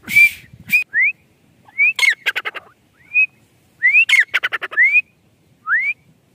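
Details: Grey francolin (teetar) in a natural village setting: separate short rising whistles, spaced unevenly, broken twice by quick bursts of stuttering harsh notes.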